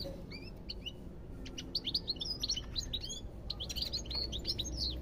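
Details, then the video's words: European goldfinch delivering a tinkling, jerky twitter of short high notes, sparse at first and then dense and fast, over a low background hum. "تغريد طائر الحسون"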